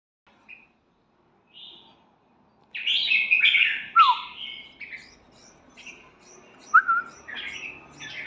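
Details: Red-whiskered bulbul singing: after a few soft opening notes, a burst of loud warbled and slurred phrases, including a sharp downward-slurred whistle, then scattered shorter chirps.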